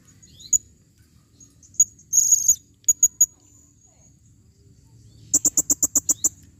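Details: Female blue-crowned hanging parrot calling: isolated sharp high chips, a brief buzzy high burst, then a quick even series of about eight piercing, very high notes near the end.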